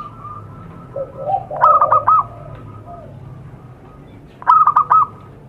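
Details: Lure call of a zebra dove for attracting wild ones: a low murmured coo leads into a crisp staccato series of ringing notes, a pause, then a second rapid ringing burst over faint background noise.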